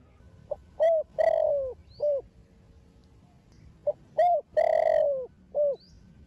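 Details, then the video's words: A young male Spotted dove with a "thổ đồng" voice, played to stimulate other doves, gives two matching phrases of mellow coos: a short note, a long falling coo, then a short closing note, about three seconds apart. "Thổ Đồng Gáy Gọi + Thúc Kích Bổi Đứng Ngồi Không Yên"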